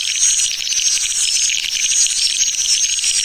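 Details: Swiftlets in a dense, steady, high twittering chatter of rapid chirps with thin whistled tones laced through, continuous and without pause, used as a lure call to attract swiftlets.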